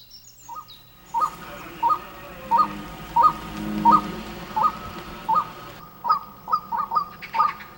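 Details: A male white-breasted waterhen in breeding season calls louder as mating nears, straining to attract a female: a loud, hooked mid-pitched note repeated about every two-thirds of a second, quickening at the end; faint high chirps from other birds.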